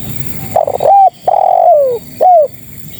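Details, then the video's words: Female spotted dove summoning males with a single loud phrase of fluttering short coos, a long hoarse downward-sliding coo, and a neat closing coo. "Suara Terkukur Betina Memanggil Jantan"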